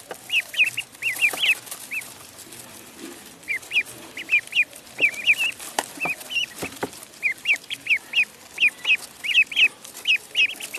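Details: Duckling in a pond giving a steady stream of high, thin peeps, each a short rising-and-falling chirp, clustered in quick runs of two to four with brief pauses; faint clicks and splashes underneath.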